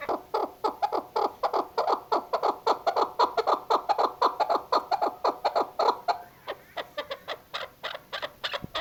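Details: A female chukar gives its hunting call, a dense, loud chatter of rapid clucks that run almost without pause and then loosen into spaced notes near the end.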